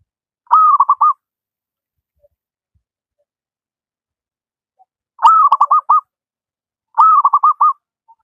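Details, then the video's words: Zebra dove from the wild, a local bird in full song, offered as a master recording for reluctant singers. Three rolling phrases: one drawn-out coo breaking into rapid, evenly clipped notes, with a long pause before the last two follow closely. "Burung perkutut lokal alam gacor, cocok buat masteran perkutut yang malas berbunyi"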